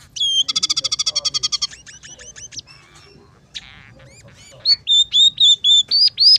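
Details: Scaly-breasted munia (emprit peking) in full song, its phrases mixed with house sparrow, red siskin and canary material: a fast buzzy trill of about fourteen notes, then sliding chirps, rasps and a closing run of loud, level whistles.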